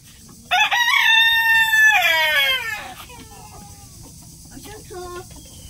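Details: Rooster crowing, a loud harmonic call rising then falling over about two and a half seconds, followed by faint clucks and low background noise.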